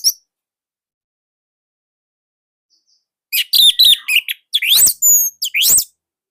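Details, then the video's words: Indonesian orange-headed thrush singing nonstop, a model for other birds: silence after a single chirp, then about three seconds of loud rapid whistles, sweeping slurs and drawn-out high notes. "Anis Merah Indonesia//Gacor Nonstop."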